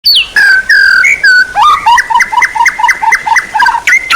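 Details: White-rumped shama song used as training material for songbirds: clear whistled notes, then a run of quick, evenly repeated down-slurred notes with sharp upper clicks, ending on a rising whistle.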